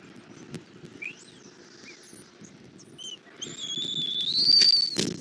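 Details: Bald eagle at a Southwest Florida nest on 8 February 2024 at 11:00, an adult bringing a catfish and feeding an eaglet. Brief chirps first, then one long thin whistle held high and rising slightly, over low rumbling background noise.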